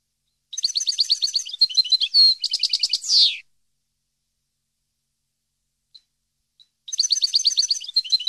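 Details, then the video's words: Song of a European goldfinch, recorded to educate captive finches; fast tinkling, twittering phrases of repeated high notes ending in a buzzy downward slur, a three-second pause, then the rapid twittering resumes. "CD Canto Para Educar Jilguero"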